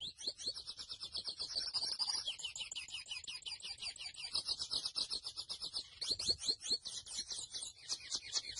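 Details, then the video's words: Mochuelo or grey seedeater in sustained song: long run of rapid, high twittering notes ending in quicker sweeping whistled phrases. "MOCHUELO AVE Y SU CANTO HERMOSO (SPOROPHILA INTERMEDIA)"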